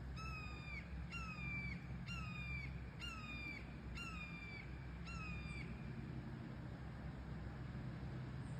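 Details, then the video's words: Young red-tailed hawks at Sugar Beach, Leo, Indiana, give six drawn-out, harmonic, slightly descending screams, each about half a second long and repeated roughly every second, over a steady low rumble of background noise. "Baby red tail hawks making bird sounds"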